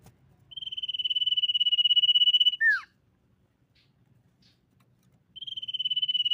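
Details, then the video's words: Common iora song used to lure other ioras into singing: a long, rapidly trilled high whistle on one pitch lasting about two seconds, ending in a short falling slur, then silence before the trill starts again. "SIRTU GACOR MEMANCING LAWAN BUNYI"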